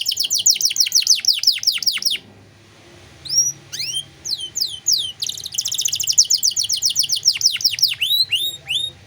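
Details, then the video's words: Canary 'cengkok mewah' song recorded as a master for other songbirds: a run of falling sweeps, a short quiet gap, scattered whistled notes, then a buzzy trill and more curving sweeps. "Masteran Kenari Gacor Cengkok Mewah"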